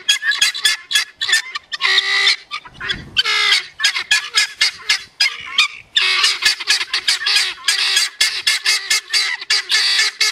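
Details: A group of male helmeted guineafowl making a ruckus together, perhaps alarm or display to hens; dense overlapping grating, buzzy calls in quick repeated bursts, with a brief lull near the middle before the chorus resumes.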